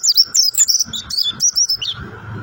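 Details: Mountain white-eye (pleci Montanus) in 'rock & roll' style song: a continuous run of sharp, high chirps and quick descending twitter notes, closely spaced, over faint low background rumble.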